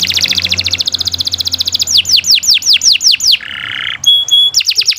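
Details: Continuous canary song meant for tutoring other birds: a rapid buzzy trill, a series of falling whistled sweeps, a short harsh buzz, then clear pure tones and more fast sweeps.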